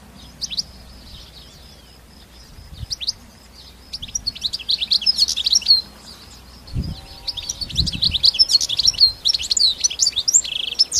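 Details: Out in the countryside, a wild European goldfinch delivers a long, rapid, jingling song of sharp chirps and trills that builds in the second half, with a few soft low thuds in the background.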